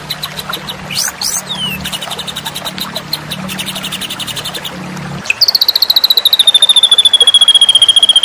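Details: White-rumped shama song recorded as masteran, a training recording for competition birds. High whistled notes and upward sweeps, then a long, fast, buzzy pulsed trill that slowly falls in pitch. A low steady hum runs under the first half.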